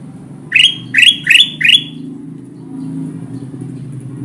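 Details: Bulbul known locally as kutilang emas, calling as bait for wild birds in trapping: four sharp, bright rising chirps in rapid series, roughly three per second, followed by a low hum.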